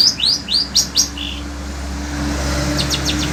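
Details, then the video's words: Shrike of the sembur type, kept as a cage songbird in Indonesia, singing loudly in intense heat: a quick run of five sharp, high chirped notes in the first second, then fainter chirps, over a steady low engine-like hum. "Burung Cendet INI TETAP MELOCOR DOR"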